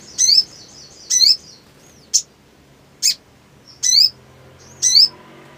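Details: Black sunbird, spirited singing: loud high chirps with curling downward tails alternating with short sharp ticks, around one per second over a quiet background.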